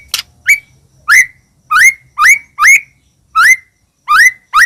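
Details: Medan-type white-rumped shama singing hard as a lure to rouse rival shamas: a series of clear, upslurred whistles, each rising sharply then levelling, repeated roughly every half second with a few gaps.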